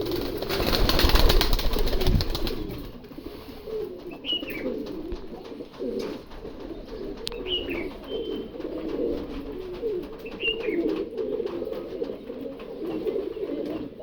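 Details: Kashmiri pigeons said to be ready to breed, indoors. After a loud rustling start, soft low cooing rolls on steadily with thin rising chirps from other birds at 4, 7 and 10 seconds.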